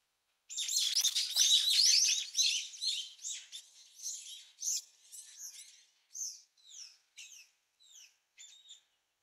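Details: Brown-eared bulbul chicks in the nest, being fed by a parent, beg in a dense burst of high, shrill chirps thinning into short squeaky notes, several a second, then fading.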